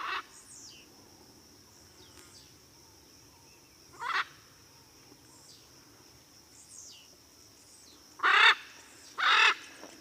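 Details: Blue-and-yellow macaw calling with loud rasping squawks, one near the start, one at four seconds and a close pair near the end, over a steady high-pitched hum and faint chirps.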